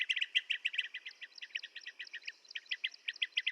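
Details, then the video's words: Blue-tailed bee-eater calls: quick bursts of short, bright chirps, several voices overlapping in a busy chattering stream with brief gaps near the end. "Tiếng chim Trảu đuôi xanh - Blue tailed Bee eater"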